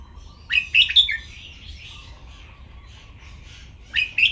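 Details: Caged red-whiskered bulbul singing for song training, in the Thai styles called playful singing, note-counting (nap dok), mae bot and lak wai: a burst of bright warbled, rising-falling phrases, a quiet pause with faint twittering, then two more sharp phrases near the end.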